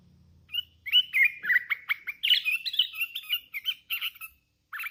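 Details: Actively singing hand-raised sooty-headed bulbul delivers a long tumbling string of chirps and slurred whistles, varied and fast, ending with a short pause and one more note.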